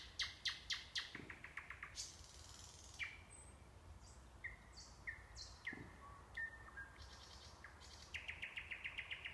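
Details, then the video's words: Near the Orbita sanatorium in Kursk Oblast's Kurchatov District, a nightingale opens with loud rapid repeated notes, moves into scattered short whistles and slurs, and ends with a fast rattling series of notes. "Пение соловья"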